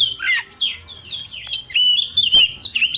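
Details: Young forest-caught Oriental magpie-robin singing persistently: varied fluty whistles, softer in the middle, then rising into bright warbled phrases with one abrupt click.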